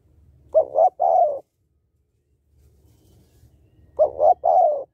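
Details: Female spotted dove giving a male-stimulating call, used to train birds: two cooing phrases about three seconds apart, each a double coo then a long falling note, over faint low background rumble.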